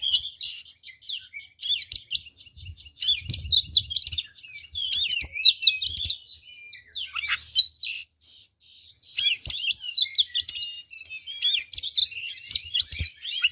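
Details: Long, energetic fighting song of an oriental magpie-robin, full of varied fills and used to provoke rival birds into aggression: continuous twittering, whistling and scratchy warbles, a short gap near the middle, and faint low bumps.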